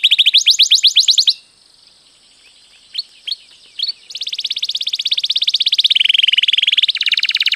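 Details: Canary rolling training song: a fast trill, a silent gap with a few soft notes, then a long buzzy roll lowering in pitch, with a steady high hiss behind.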